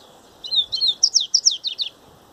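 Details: Coleiro singing the Baiano grego song style, a quick high phrase: a few slurred whistled notes, then a rhythmic series of sharp down-slurred chips, all within about one and a half seconds.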